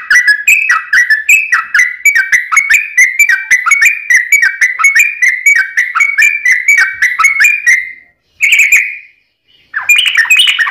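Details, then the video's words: Rapid rising whistled notes from a sooty-headed bulbul run for about eight seconds, then two short bursts follow after pauses. It is a long 'ropel' song used to encourage kept bulbuls to sing. "trucukan gacor ROPEL PANJANG pancingan trucukan agar bunyi"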